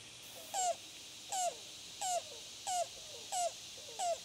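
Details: Yellow-billed cuckoo (Coccyzus americanus), locally called rain crow, in Arkansas: a steady series of six hollow, slurred notes, about one every 0.7 seconds, over a soft background hiss.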